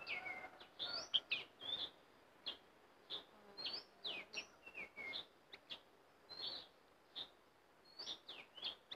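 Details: Caged sooty-headed bulbul, taken into forest for the first time as a decoy to lure wild bulbuls, gives quick, bright chirps and short whistled phrases, some sliding up or down, every half second or so, with faint insect buzz.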